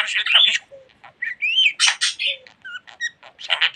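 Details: Budgerigar kept as a pet, known to talk a lot, uttering scratchy chatter broken by clear whistled slurs and short low squeaks, phrases separated by brief gaps.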